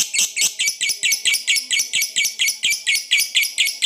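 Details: A lovebird's extended 'ngekek' chatter, meant to provoke competing birds: harsh, scratchy bursts repeated about four per second in a regular rhythm, loud and close.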